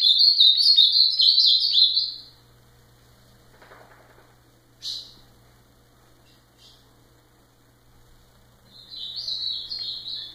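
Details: Ultramarine grosbeak song in two bursts: a rapid high warbling phrase of about two seconds, a few scattered short notes and soft rustles, then another warbled phrase near the end.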